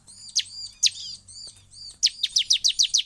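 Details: Excited bar-winged prinia song said to set other prinias singing: two loud sharp chirps with softer twitter, then a fast regular series of six piercing descending notes.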